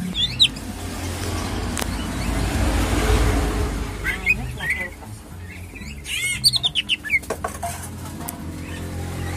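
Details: A Greater green leafbird in a bird shop kiosk, described as having a strong voice, gives short bursts of quick, sweeping whistles and chattering notes, loudest near the end, over a steady low background rumble.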